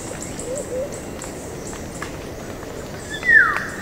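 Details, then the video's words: One brief musical whistle from a Black-naped oriole, sliding downward near the end, while dripping water taps irregularly through a constant noisy background. "Black Naped Oriole / Black-Naped Oriole. Musical Whistles From Oriole."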